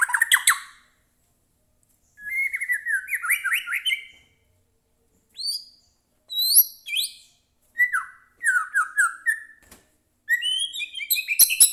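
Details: White-rumped shama song aimed at provoking a captive bird: separated phrases of rising whistled notes, high sharp calls and descending trills, each burst short with clear gaps between.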